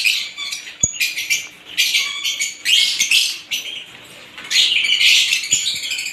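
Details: Several lovebirds of various kinds chatter together in shrill, scratchy bursts of high twittering and squeaks, rising and falling in waves, with a brief faint whistle and a click.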